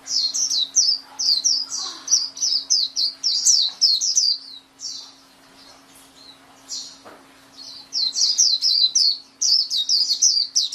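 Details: Bright, rapid strings of high slurred chirps from a white-eye, delivered in fast bursts separated by a quieter pause midway, with a constant faint hum.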